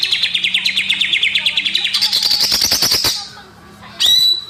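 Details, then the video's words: Greater green leafbird song, natural sound used as a lure for young wild-caught birds: rapid, evenly repeated chipping notes, then a rising, buzzy, rattling run that ends in a clear whistled upslur. "PANCINGAN CUCAK IJO BAKALAN || ASLI SUARA ALAM"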